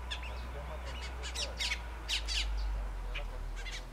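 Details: Several Colombian mountain grackles, endemic to Colombia, near Bogotá, give harsh scratchy notes in quick, uneven, overlapping bursts over a steady low rumble of wind or background noise.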